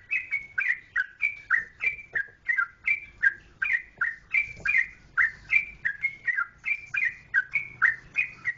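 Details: Sustained fast song of a Jogjakarta trucukan, the yellow-vented bulbul: crisp whistled notes alternating high and low at a regular three per second, each with a quick downward slur, over a faint low rumble.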